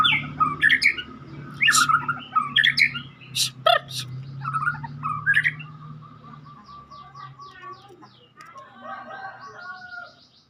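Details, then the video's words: White-rumped shama, Medan type, kept caged, pours out loud sharp clicks, rich whistles and fluttering trills, then softer repeated quavering phrases toward the end, with low background hum. "kicau murai batu Medan super"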